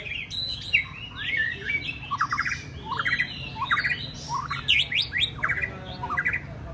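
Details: White-rumped shama practising contest singing: quick successions of bright whistles, rising slurs and short buzzy trills that change from phrase to phrase, sung fast and continuously over a low background hum.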